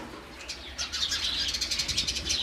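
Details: A brief run of rapid, high house sparrow chirps that starts just before one second and keeps on in quick pulses to the end.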